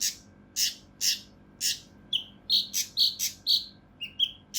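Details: Mountain leaf warbler giving rough, closely spaced bursts, a recording for tutoring competition birds: four broad rasping bursts about half a second apart, then quicker chirps and buzzy notes, roughly two per second.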